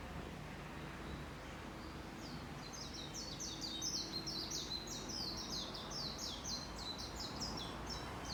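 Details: Wild birds visiting a courtyard sing a fast series of high, thin chirped notes from about two and a half seconds onward, repeated over steady low background noise.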